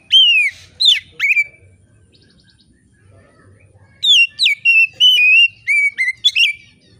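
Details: Oriental magpie-robin singing calmly and loudly in an open voice, used to encourage other magpie-robins to sing: a few sweeping whistles, a short pause, then a fast string of about seven level or falling whistled notes.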